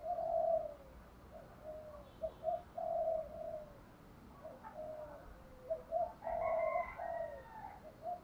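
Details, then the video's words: Spotted dove giving a luring coo: low mellow cooing phrases of drawn-out hoarse notes, repeated irregularly, with a faint higher bird call near the end. "cu gáy thúc gù gáy gọi"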